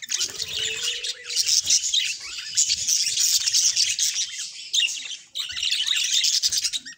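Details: Two budgerigars kept as house birds sing and talk in a long stream of scratchy, high warbled chatter, briefly pausing near the five-second mark before resuming.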